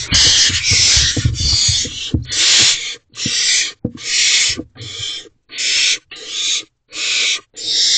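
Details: Owlets of barn owls in a nest box, 3:27 am, 12 May 2023, as the adult male arrives with food. Harsh rasping hisses come in bursts about half a second long, repeated roughly once a second, with soft knocks beneath.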